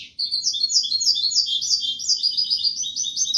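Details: A European goldfinch delivers kubiya Malaga-style song: after a brief silent start, a steady stream of quick, sharp, tinkling twitters and short buzzy trills continues to the end.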